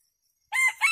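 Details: Rooster used as a decoy to call wild junglefowl to feed gives a sudden crow after silence, two loud harmonic bursts with a slight dip between them, cut off mid-call.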